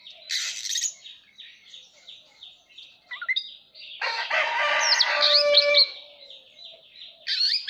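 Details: Oriental magpie-robin singing while fanning its tail in display: bright, rapid chirps repeated about three times a second, interrupted midway by a loud, harsh, crowing burst.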